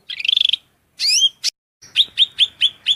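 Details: Cucak rante singing constantly in a masteran recording: a fast chattering trill, a slurred whistle, then a series of five clipped piercing notes evenly spaced.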